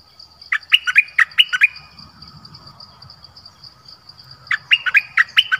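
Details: Dok taeng decoy bird calling for a partner in a forest on 13 January 2021: two clusters of five or six bright, clipped chirps separated by a pause, with a continuous high-pitched hum in the background.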